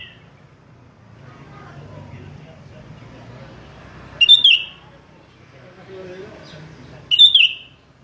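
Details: Sooty-headed bulbul challenging a rival, giving two brief bursts of bubbly chirped notes several seconds apart against a steady low hum.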